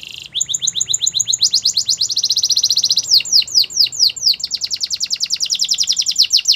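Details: Canary singing meant for coaching canaries: unbroken rapid high trilling, shifting into sweeping downward slurs around the middle, then returning to a fast even trill.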